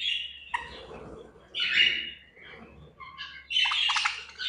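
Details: Budgerigars at feeding time in a cage: loud scratchy squawks and chirps in irregular bursts, alternating with quieter twittering and brief pauses, a faint low hum underneath.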